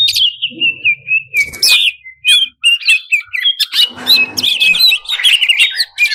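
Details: Greater green leafbird in full, varied song played to excite competition birds: fast tumbling jumble of whistles, trills, squeaks and chattering notes, shifting pitch constantly, with harsh rasping bursts mixed in.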